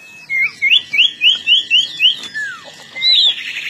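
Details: Long-tailed shrike in full song and ready to fight: a loud series of six quick, rising whistled notes about a quarter second apart, one falling slur, then a rapid buzzy trill at the end.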